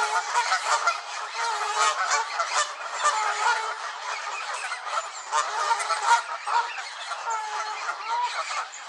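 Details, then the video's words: Many angry Canada geese at Elvaston Castle, dated 3-10-15, produce a loud, crowded chorus of harsh, nasal honks that rise and fall in intensity without pause. "Angry Canada Geese"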